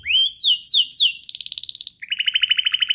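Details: Canary song meant to get other canaries singing, beginning with rising and falling slurred whistles, then a rapid high trill and a lower pulsed rattle.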